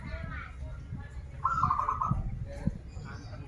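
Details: Local Banten zebra dove, a keen singer of krital and warung kebek song styles, gives a quick rolling series of about six clipped coos over half a second, with murmuring voices and knocks throughout.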